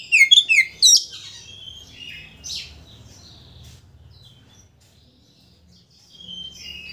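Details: Oriental magpie-robin song used as a lure to stir a rival's temper so it opens its tail; a quick burst of high, varied whistled and chattering notes in the first second, then sparse fainter notes over a low indoor hum.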